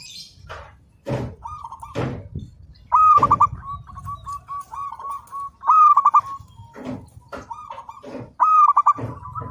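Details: Local zebra dove singing persistently, meant as a training master: about three loud phrases, each a ringing coo breaking into rapid stuttered 'kuk' notes, linked by softer repeated coos. Frequent sharp clicks and knocks break through.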